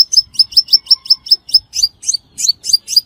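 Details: Crimson sunbird lure call for trapping: a continuous string of about fourteen sharp, very high chirps delivered evenly, roughly four to five per second, each note slightly downslurred.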